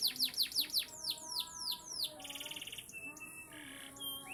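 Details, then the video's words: Panda canary singing fast descending swept notes, then a buzzy rattle and short varied trills and whistles, against low constant background noise. "kenari panda"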